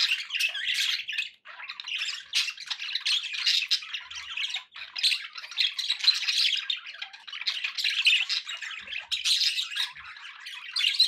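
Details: Continuous budgie chatter from pet birds: a long, busy flow of scratchy warbles, squeaks and chirps, rising and falling in loudness with a few short breaks.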